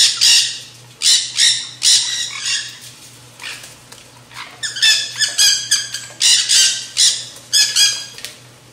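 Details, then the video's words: Nanday conure parakeets, also called black-hooded parakeets, in a feeding frenzy at a backyard seed feeder: loud, harsh, shrieking squawks in bursts, several birds calling over one another, with a steady low hum beneath. "Backyard Nanday Conure Parakeet, Feeding Frenzy, Parrot, Black-Hooded , Chips, song, Sounds,"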